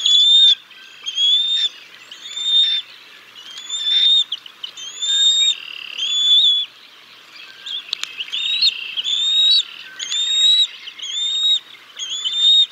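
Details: Parent bald eagles feeding their chicks fish at the Decorah North nest, 6 May 2022; a long run of high whistled squeals, each about half a second, repeated roughly once a second, with a single sharp click.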